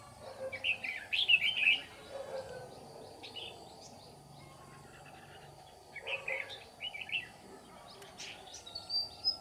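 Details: Red-whiskered bulbul used as a 'ché' decoy to chase wild birds into a trap: a lively, tumbling phrase of loud whistled notes, a long pause, then two more warbling bursts, with faint high chirps and soft hiss.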